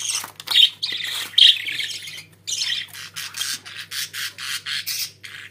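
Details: Pet budgerigar warbling chatter: harsh, buzzy squawks and chirps in quick bursts, then a fast string of evenly spaced scratchy notes at about one per third of a second.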